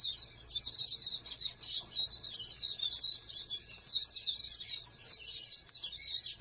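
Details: Captive-bred oriental white-eye, kept as a hopeful national contest champion, delivering an unbroken stream of thin, high chattering notes that rise and fall quickly, almost without pause.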